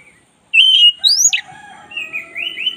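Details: Oriental magpie-robin, black-breasted type, in energetic song meant to coach other birds: a strong whistled note leaps into a steep rising sweep, followed by softer warbling whistles and rising slurs.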